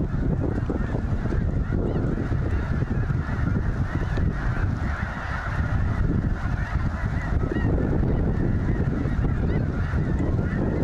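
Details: At Goose Pond Fish & Wildlife Area, Linton, Indiana, a vast gathering of snow geese fills the air with continuous, overlapping honks, an almost deafening chorus over low rumble.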